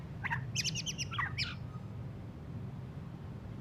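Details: Just after its moult, a white-rumped shama gives a short burst of quick, rough chirping notes that drops in pitch and then stops, leaving only a low background hum.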